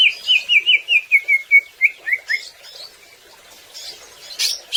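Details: Greater green leafbird (cucak ijo) singing, used to make birds sing: a fast even chain of about ten falling whistles at roughly five per second, then softer scattered high notes and a sharp final chirp.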